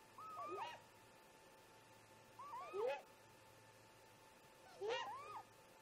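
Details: Early-morning calls of great grey owl parents at a snag nest around 04:25, nest camera recording; three soft rising whoops spaced about two seconds apart over a steady low hum.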